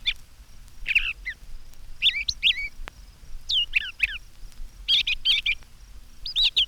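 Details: Brown Thrasher in spring, singing from a treetop with tail down and head up, delivers a varied run of rich slurred phrases, several repeated twice in quick succession, with brief pauses; faint hiss underneath.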